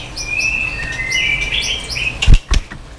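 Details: White-rumped shama song used to stimulate other shamas to sing many phrases: short steady whistled notes repeated in pairs at two pitch levels over a constant hiss, ending with a few loud thumps.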